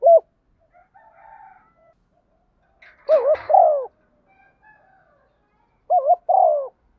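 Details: {'text': 'Spotted dove used as a decoy to attract birds, giving a few cooing notes with wavering pitch in two short bursts, plus a brief faint noise and weak murmuring between them.'}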